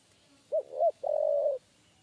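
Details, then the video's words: Spotted dove giving a 'kuk 3' coo during a trapping session. Two short, bouncing, hollow notes lead straight into a drawn-out, even coo about half a second long. The surroundings are otherwise calm. "TEKUKUR KUK 3"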